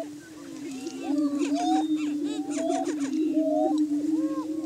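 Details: Lek of Greater Prairie Chickens in morning courtship display in Washington County, Kansas, establishing breeding territory in spring; an unbroken low droning boom carries hooting, upslurred whoops and chattering cackles from several birds at once.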